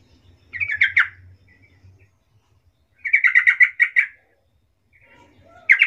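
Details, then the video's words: Yellow-vented bulbul singing a lure song to provoke other bulbuls into answering: a short burst of liquid notes, then a longer rapid bubbling phrase, and another beginning at the end, with a slight low hum. "suara pancingan trucukan suara empuk ini"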